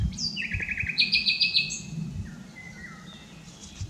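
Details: Unedited song of a common nightingale: a falling whistle, then a rapid run of repeated notes, then a louder series of richer repeated notes. Softer lower whistles close the phrase over faint rumbling.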